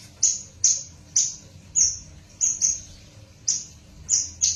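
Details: Horsfield's bush lark hybrid bred from a Java female and a parfa male, giving sharp, very high, clipped chip notes in an irregular series, roughly two per second, with a quiet low hum behind.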